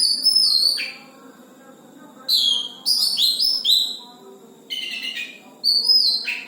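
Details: Oriental magpie-robin in song: bursts of rich whistled and slurred notes, some sweeping down steeply, delivered in phrases of about a second separated by brief pauses, with a low background hum.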